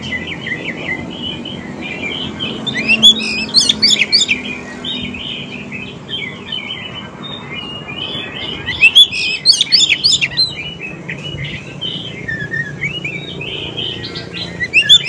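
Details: Oriental magpie-robin song used as a lure to draw wild and young birds into answering: varied whistled and chattering phrases with loud bursts near three and nine seconds, over a steady low background hum.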